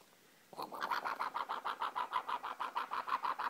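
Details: Rainbow lorikeet playing and wrestling at night indoors, giving a fast, regular run of rough chattering notes, about three per second, harsh and grating throughout.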